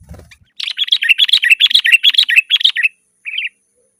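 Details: Sooty-headed bulbul in energetic gacor, rolling song, used to lure wild birds and tutor caged bulbuls: a fast run of about a dozen clear, bubbly warbled notes, then a brief pause and one final phrase, with no background noise.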